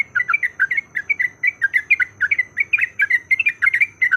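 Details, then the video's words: Yellow-vented bulbul lure to provoke fighting song: busy, rippling chatter of liquid notes without a break, a thin steady high whine and low background hum running underneath. "PANCINGAN BIKIN TRUCUKAN LANGSUNG BUNYI IKUT TARUNG GACOR"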